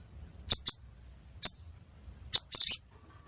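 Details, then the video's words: High, sharp, clicking chips from a ruby-cheeked sunbird in Pidie, Aceh, Indonesia: single and paired notes spaced irregularly, ending in a brief cluster of three quick chips. "Burung Sogon Suara Durasi Panjang"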